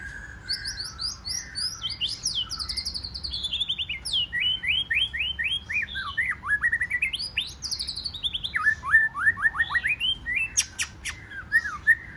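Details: Newly wild-caught white-rumped shama in contest singing, forest voice: long cascade of descending whistled notes and rapid trills, steady sequences of repeated sweeps, sharp high clicks near the end, faint low hum beneath.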